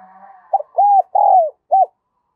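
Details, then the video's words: Spotted dove decoy calling to lure wild doves, đồng son voice style. One hollow four-part coo: a short stutter, two long arched notes with the second sliding down, then a short final note. A faint low hum comes before it. "Chim Cu Mồi Giọng Đồng Son gáy Gọi, Kích Bổi Cực Nhạy"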